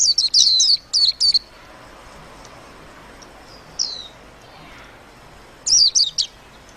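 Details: Warbling white-eye twittering: a quick cluster of high, zigzagging chirps, a long quiet gap broken by one descending whistled slur, then a final short burst of rapid bright notes.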